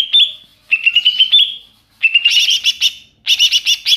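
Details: Greater green leafbird heard in the wild, used to attract wild birds: a clear steady whistled note, then rapid buzzy stuttering bursts of four to six notes, each burst separated by short silences.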